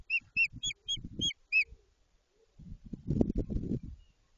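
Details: White-tailed eagle at the start of nest building near Jedwabno, Poland, early in the breeding season: six sharp, yelping notes repeated about four per second, followed by low rustling and rumbling thuds.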